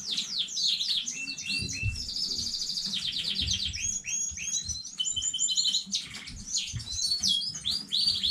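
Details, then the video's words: Domestic canary, new breeding stock, recorded 15 May 2019, pours out a loud continuous song of rapid rolling trills, swooping whistles and repeated pulsed notes, dense and unbroken throughout. "KANARYA ÖTÜŞÜ YENİ ÜRETİM HANEDEN 15.05.2019 CANARY SINGING"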